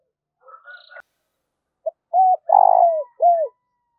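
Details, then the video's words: Caged decoy spotted dove calling to attract rivals: a brief murmur, then a soft lead-in note and three low coos, the central one long and vibrating, the last curving downward. "Chim Cu Mồi Thúc Và Gáy Gọi Cực Đỉnh"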